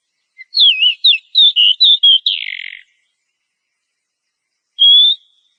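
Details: Oriental magpie-robin, a breeding-condition female calling for the male, used as a lure track for caged birds; varied twisting whistles ending in a harsh rasping note, then after a silence a single rising whistle.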